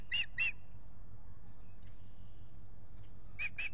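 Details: Osprey pair at their nest at Salt Point, lake setting, nest camera, April 19, 2021, during nesting. Two sharp whistled chirps, a pause of nearly three seconds, then two more.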